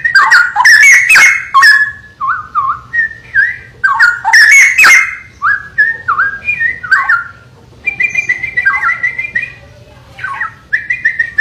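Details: Straw-headed bulbul in a long run of song, pouring out bubbly, liquid whistled phrases in quick succession, loud warbling flourishes alternating with softer, steadier whistled notes.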